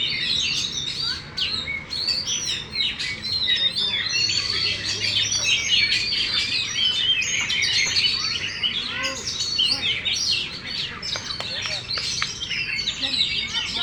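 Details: Caged champion Oriental magpie-robin, tail fully spread, sustains a long, continuous outpouring of busy chattering, trilled and whistled phrases, with scattered sharp clicks toward the end.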